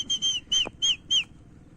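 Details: Pet talking parrot giving five short, clear whistled notes, each steady and then bending down at the end, spaced about a third of a second apart over a quiet background.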